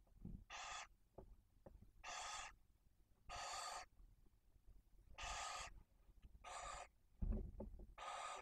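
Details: Barn owl at its nest in Spain's Cabañeros National Park, feeding time with chicks aged one and four days. A steady series of six rough, noisy hisses, each under a second, spaced by short pauses, with faint rustles.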